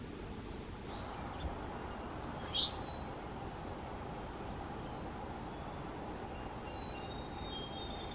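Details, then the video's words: A male Eastern Towhee foraging on a lawn in the morning gives one short, bright, upslurred whistle, then fainter high whistles, over a steady roar. Recorded in a backyard in the mountains of North Carolina. "Eastern Towhee Whistle Call"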